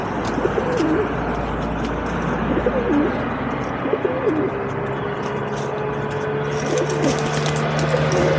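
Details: Feral pigeons feeding and fighting at a balcony bird table, filmed on an Insta360 Go 2: low wavering coos rising and falling, repeated several times over a steady broad background hiss, with brief clicks and taps.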